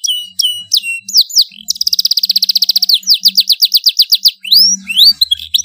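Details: Bold domestic canary song for training young birds: clear downsweeping whistles, then a rapid even trill, chopped slurred notes and a rising whistle.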